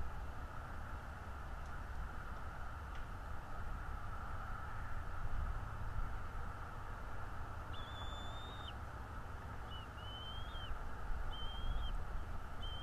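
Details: Bald eagle at its nest in northeast Florida, camera recording, 11 February 2022 at 9:55 in the morning: a quiet stretch of rumbling noise, then four high whistled notes in the second half, each flat and ending in a quick drop.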